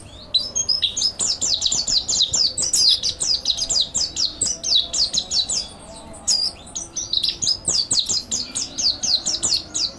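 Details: Sustained rapid warbling from a mountain white-eye, recorded as a master song for training: a nearly unbroken stream of high, sliding twitters with one short pause midway.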